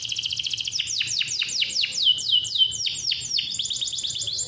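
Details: Captive male canary delivering a long rolling song meant to coax lazy singers and teach juvenile canaries; fast repeated chirps open into a string of downward-sweeping whistled slurs, then quick rapid trills, unbroken and bright, over low hum.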